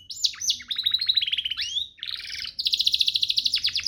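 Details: Canary singing a master phrase meant to make other canaries sing more: sweeping whistled slurs and chattering runs lead into a loud, fast, steady trill.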